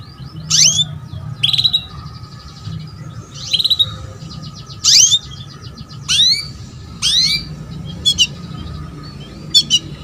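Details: Calls from a female canary meant to prompt a male's song: repeated loud, steeply rising chirps roughly every second, with a few brief clicking bursts near the end, over low rumbling background noise.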